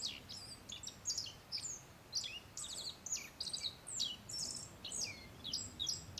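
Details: At Settsu Gorge, Osaka, Japan, a wild black-faced bunting perched roughly 3 m off gives bursts of thin, high twittering notes and quick downslurred chips, repeated in short groups through the recording, soft hiss behind.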